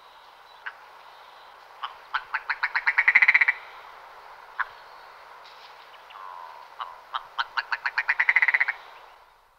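Willow Ptarmigan giving two harsh, staccato rattles, each starting with a few spaced clicks that speed up into a rapid, stuttering burst.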